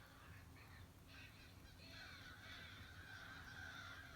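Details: A big morning flock of at least 60 crows at a bird feeder calls together in a dense, overlapping chorus of rasping caws that grows louder and steadier toward the end.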